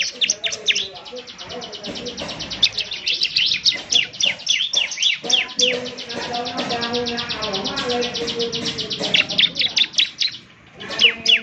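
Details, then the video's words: Ciblek semi singing vigorously, meant to be played each morning so other birds answer: dense, fast run of sharp high chirps repeated about four per second, with lower murmuring tones and faint background noise underneath. "ciblek semi gacor, putar tiap PAGI agar ciblek semi ikut nyaut bunyi GACOR"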